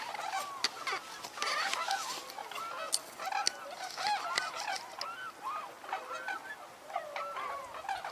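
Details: A flock of tundra swans, adults and juveniles, at a wildlife refuge in cold weather (28 degrees) calls over one another in mellow, goose-like honks and bugles, rising and falling in quick overlapping bursts.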